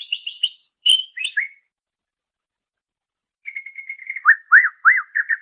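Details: Greater green leafbird, master recording for training songbirds: quick trilled whistles, a long pause, then a run of repeated upswept whistled notes delivered rapidly.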